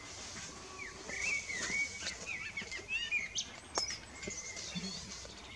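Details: Evening song of a common blackbird, a rich run of mellow warbled and slurred whistles rising and falling, ending in brief high squeaky twitters, over faint steady outdoor ambience.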